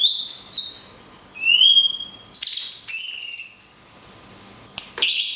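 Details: Cungkok song, long 'tembakan kunti' style with natural pauses, a training recording for songbirds: clear whistled notes, some rising and some falling in glides, in separate phrases with quiet gaps, ending in a brief sharp burst.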